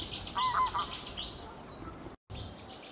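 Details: Cetti's warbler near Lutjebroek gives a short, abrupt burst of loud whistled notes lasting about half a second, then falls quiet against a steady hiss of background noise.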